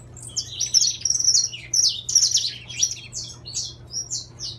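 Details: Intense yellow saffron finch in captivity singing quick bursts of bright, high downslurred chirps, about two per second, in a clean recording with only a low hum.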